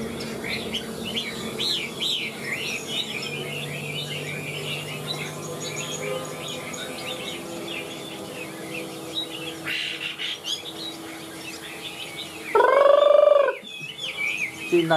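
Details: Large caged Chinese hwamei singing high, with a rapid chain of whistled, twisting notes for about nine seconds. Then come a short pause and a loud, sweeping harmonic squeal near the end against a low hum.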